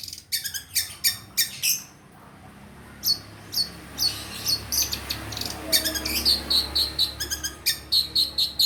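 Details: Long-tailed shrike sound for luring a caged bird that has stopped singing. A busy stream of scratchy, high chirps with brief pauses, turning into quick repeated piping notes near the end.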